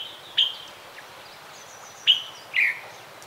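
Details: Snowy-bellied hummingbird giving three sharp, high chips spaced over about three seconds, each a brief downward note, over a low steady hiss.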